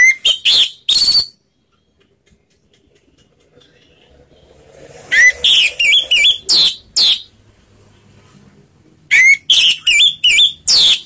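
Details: Orange-headed thrush singing the slow ngeplong style as a lure for other birds: three bouts of loud, fast whistled and chattering notes, separated by a few seconds of quiet.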